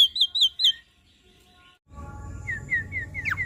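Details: Javan myna singing for a stressed bird: a quick series of sweet slurred whistles, a short silence, then several downslurred whistles over a low background hum.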